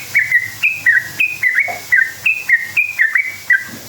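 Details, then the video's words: Sooty-headed bulbul song used as a lure to make other bulbuls answer: crisp, ringing whistled notes, each flicking up or down, given at a brisk, steady pace. "Trucukan gacor ropel panjang buat PANCINGAN trucuk agar bunyi jadikan burung trucuk NYAUT EMOSI"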